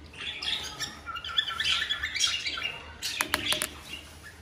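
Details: Cockatiel pair in breeding condition giving mating calls: a run of quick, high chirping notes tumbling together, then a few sharp clicks and taps near the end.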